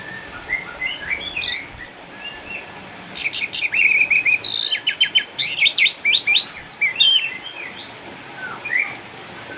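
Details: Caged orange-headed thrush, an eight-year-old former contest champion from Sukabumi now kept at home due to cataracts, singing actively: varied bursts of high chirps, trills and slurred whistles, dense phrases between short pauses.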